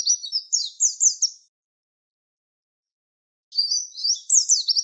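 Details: Tutor song of a Javan white-eye for training songbirds, in the tembakan wit wit style: high, thin twittering phrases of quick up-and-down slurred chirps, ending in rapid repeated notes, with a two-second silent gap between phrases.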